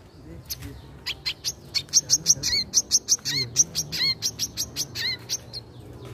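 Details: A wild wiceh bird sings a fast run of sharp, high chirps and short upslurred whistles, about three notes a second, over a faint low hum.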